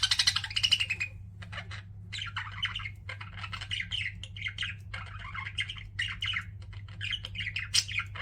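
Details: Pet budgerigars indoors chirping almost continuously, a busy stream of warbled, buzzy chatter and short squawks in overlapping bursts, with a steady low hum underneath.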